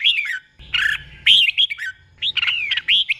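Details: Short burst from a caged red-whiskered bulbul tutor: loud, clear whistled notes with long downward slurs and chirpy accents, sung as doubled phrases.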